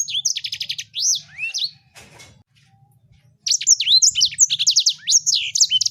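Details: Energetic sanger bird song: bursts of rapid repeated chips and swooping whistles, a pause of near silence midway, then another fast, high twittering phrase, faint low hum present.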